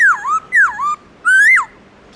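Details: Black-throated laughingthrush singing a wild-style morning song: three loud, clear whistled phrases, each swooping down and then levelling or rising, with short pauses between them in a quiet setting.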